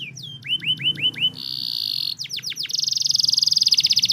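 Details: Canary song to encourage silent, lazy canaries: a few looping whistled notes, a buzzy sustained tone, descending sweeps, then a fast high rattling trill.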